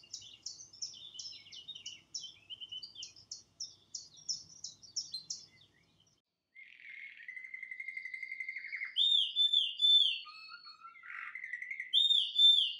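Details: Male canary singing in front of a television: soft, quick staccato chirps at first, then a short pause, then louder level trills, bright repeated slurred whistles, and a low warbled phrase.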